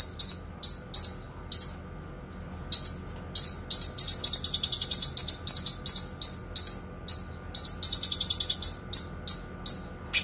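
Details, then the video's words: Kinoi singing clear, long-running phrases used for training songbirds: rapid series of high, sharp, rattling chips, some spaced and some packed into dense fast trills, continuing throughout. "TEMBAKAN PANJANG, SUARA JERNIH BURUNG KINOI"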